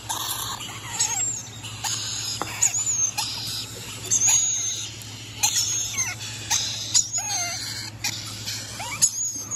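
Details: Rainbow lorikeets giving harsh, high, grating screeches and short squeaky whistles in irregular overlapping bursts, with several birds calling at once over a steady low hum.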